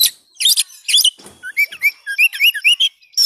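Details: A brief, lively burst of Oriental magpie-robin song: harsh scratchy notes giving way to a rapid series of short whistled slurs, about one every quarter second, offered to help kept birds sing again.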